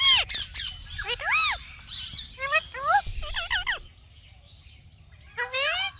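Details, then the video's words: Indian ringneck parakeet talking: loud bursts of harmonic, arching, speech-like syllables with squawky edges, mostly grouped in the first four seconds, then a pause and one more short burst near the end. "Indian Ringneck Parrot Talking Video"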